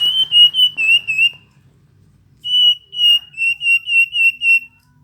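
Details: Singing Hill blue flycatcher: two bursts of sweet, clear whistled notes, each note a short downward slur repeated rapidly. A brief pause separates the phrases, against quiet background.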